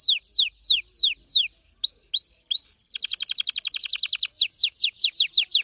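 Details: Fast trilled singing from an orange-red Red Factor Canary: descending whistled sweeps, a few rising slurred notes, then a rapid pulsing trill that loosens into falling sweeps again; quiet background.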